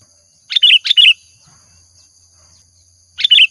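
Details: Sooty-headed bulbul (kutilang) lure song: two quick chirpy double-note phrases close together, then silence and a third matching phrase, with a thin constant whine in the background.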